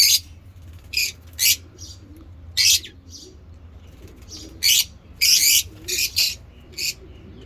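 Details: Ngekek chatter of pet African lovebird mutations: loud, harsh, screechy calls in separate bursts, some paired, with quiet pauses between them.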